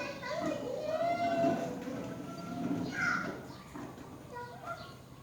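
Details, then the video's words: Myna at the nest as the mother feeds her young: harmonic, slightly nasal calls in the low-middle range, one sliding drawn-out note, then a brighter higher note and shorter squeaks, over steady background hiss. "Mother birdmyna feeds her young at the nest"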